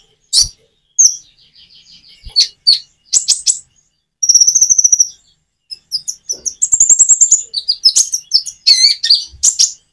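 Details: Common iora singing with natural pauses meant to prompt reluctant birds to answer; scattered high chirps, then a rapid trilled run, followed by dense chattering notes.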